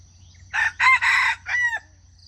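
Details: Junglefowl crowing, a sound used to lure wild chickens into traps: four loud, harsh bursts. The last note is drawn out and slides downward. A faint hum runs underneath.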